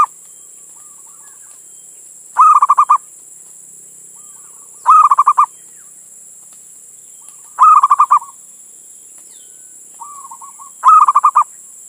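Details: Male zebra dove calling a female, used to lure other doves into singing: four clipped bursts of rapid cooing notes at roughly three-second intervals, softer coos in between.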